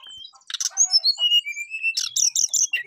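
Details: Brief burst from a brown-chested jungle flycatcher calling a rival: noisy chatter, then smooth falling whistles and a quick run of high bright notes.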